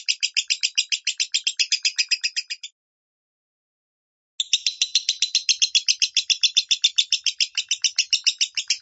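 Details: Minor-style lovebird song meant to train other lovebirds: rapid, grating chirps repeated in a dense rhythmic stream, stopping briefly and then resuming even faster and fuller.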